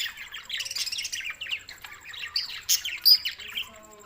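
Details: Budgerigars, June 7, 2024, Larkana, Sindh, giving steady rapid chirruping chatter, a stream of short warbled notes with a few louder squeaks near the end and a faint high whine throughout.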